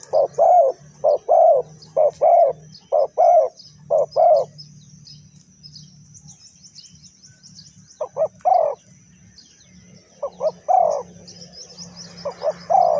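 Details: Spotted dove coos heard during decoy bird trapping in Ninh Thuận: five regular doubled hoarse coos, a pause, then further broken coo phrases, with a steady low hum beneath.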